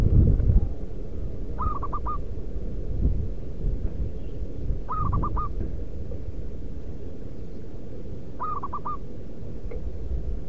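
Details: Local wild zebra dove (perkutut lokal) singing, used as a lure to call wild zebra doves: three short, rapid cooing phrases of four staccato notes each, spaced about three and a half seconds apart, over a steady low rumble.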